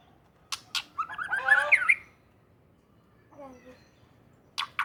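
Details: White-rumped shama from Aceh, Indonesia, singing; a few sharp clicks, then a rapid warbled phrase of twisting whistles, a pause, a lower softer phrase, and closing clicks.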